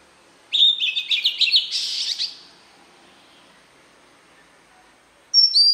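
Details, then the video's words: An Oriental magpie-robin delivers its wild-type voice, intended to provoke newly caught birds: a two-second flurry of bright whistles and scratchy twitters, a quiet gap, then a sharp clear whistle opening the next phrase. "Chòe Than hót Giọng chuẩn | chăm sóc chim hót | Chích Choè Than giọng rừng kích bổi"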